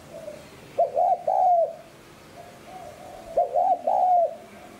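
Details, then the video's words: Spotted dove, its coo used to lure wild birds: two low throaty phrases, a brief double hoot then a longer coo, separated by a quiet pause. "Tiếng Cu Gáy GIỌNG HẠP BỔI SÁT BỔI Thúc Kích Bổi Nhanh Nổi Cu Đất Gáy Kích Mồi Tập Bổi Hiệu Quả"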